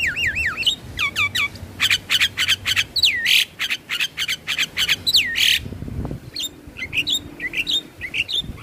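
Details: Javan myna song played routinely each morning and evening to stressed birds: looping whistles, a fast burst of dry clicking notes, loud rasping squawks and scattered short whistles.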